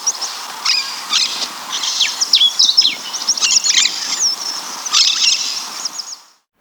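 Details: Slender-billed parakeet (Enicognathus leptorhynchus), calls.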